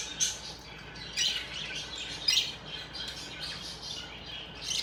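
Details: Happy budgerigars chirping: soft, busy high chatter of several birds, with scattered squeaky notes and short bursts about once a second, fairly quiet throughout.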